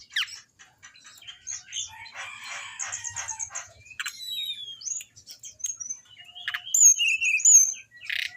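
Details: Orange-headed thrush song for training caged birds: scratchy, buzzy notes and wing-flutter-like rustling early, then clear rising whistles and bright slurred phrases that grow louder toward the end.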